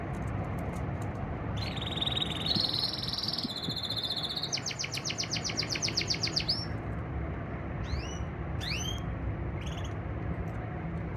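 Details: Male canary singing for a female in breeding season 2024: a buzzy rolling trill, a long rapid chattering run, then a few sharp separate rising chips, over constant low background noise.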